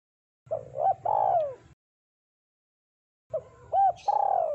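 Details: Spotted dove singing actively in a deep, thick voice, a recording used to lure birds: two cooing phrases, each a short soft coo, a rising-falling note, then a long loud descending coo, separated by silence, over a low hum.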